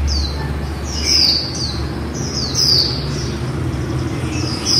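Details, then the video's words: Female white-eye in líu song, giving bright, high, falling whistled notes in quick succession over a steady low background hum. "Khuyên mái líu"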